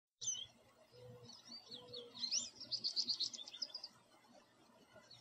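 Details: American goldfinch singing from a tree in a backyard in North America: brief high chirp, then a rapid run of thin, twittering, sweet notes building in the middle and fading out.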